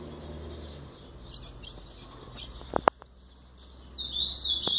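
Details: A fiery brown-plumaged ultramarine grosbeak, just arrived, courts a female, giving a brief, bright warbled phrase near the end after quiet background hiss and a couple of sharp knocks.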